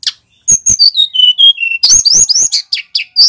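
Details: Male bar-winged prinia in full, vigorous song: a sharp high note, then clean whistles stepping down in pitch, followed by rapid, buzzy, rising chirps. The recording is clear, with no other sounds.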